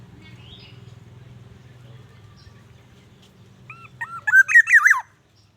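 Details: A wild black-naped oriole gives its calling song, used to lure wild orioles: a short burst of rich, fluty whistles that rise and fall, after several seconds of low background hum.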